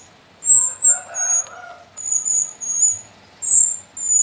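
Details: A young captive sooty-headed bulbul from the Sumbing mountain slopes gives thin, very high squeaky notes in short bursts, with a lower clucking sound briefly near the start.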